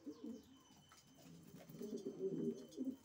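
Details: Racing pigeons cooing indoors: soft low rolling coos in short bursts, several overlapping, with quiet room hum.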